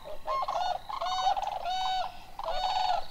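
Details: Whooping Cranes of an introduced flock at Necedah National Wildlife Refuge, Wisconsin, on a late-May evening in 2019, competing with Sandhill Cranes; four extremely loud, rich bugling blasts, each about half a second, in quick succession.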